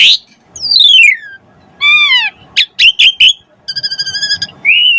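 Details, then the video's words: Asian pied starling song meant to prompt other birds to sing: long descending whistles, a rising harmonic-rich note, sharp rasping chips, a fast rattled trill and a final clear whistle. "Jalak Suren Gacor Pancingan Burung Jalak Agar Cepat Mompa Gacor"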